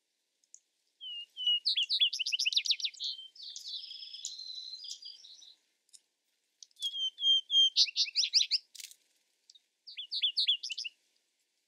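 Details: Vesper sparrow song: a few soft clear introductory notes, then fast bright trills and a buzzy warbled middle section, with two song bouts separated by a short pause, in a quiet setting.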